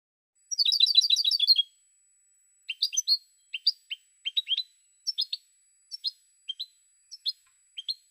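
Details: Song of a European goldfinch: it opens with a dense, fast twittering burst, then continues with scattered short chirps and small clusters of notes at irregular spacing, over a faint steady high tone.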